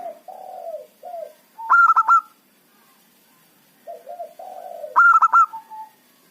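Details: Loud local zebra dove lure song for trapping rival wild birds: low wavering coos lead into a sharp burst of quick stuttered notes, a pause, then the same sequence again.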